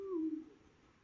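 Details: A male Eurasian eagle-owl in the La Safor region of Valencia, Spain, calling for its mate, gives a single deep, mellow hoot that slides slightly downward and fades after half a second in a quiet setting.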